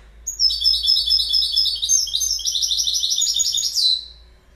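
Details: Goldfinch singing: a continuous, rapid run of high, tinkling twittered notes lasting about three and a half seconds. It ends in a short upslurred flourish against a quiet background.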